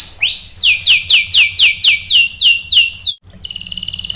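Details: Canary song answering a female used as bait; one rising note, then about ten slow, rich downslurred buzzy notes evenly spaced, a short pause, and a quick buzzing trill.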